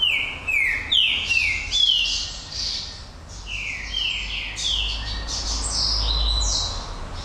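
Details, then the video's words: Song of the Green-winged saltator named Pantera Negra: rapid strings of falling whistled notes repeated in quick succession throughout, with higher overtones and a low background hum. "Trinca-ferro Pantera Negra"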